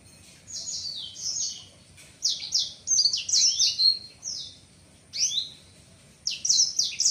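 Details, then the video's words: Young male black-throated canary, seven months old, voice not yet mature, caged, singing while opening its wings on seeing a female: bright high phrases of sweet, downward-slurred whistles and quick twitters, in bursts separated by short pauses. "Blacksang gacor buka sayap"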